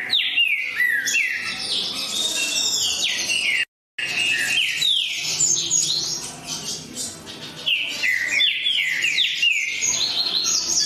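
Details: Lively green-winged saltator song, many quick descending whistles packed closely together, a short silent gap, then more rapid slurred phrases.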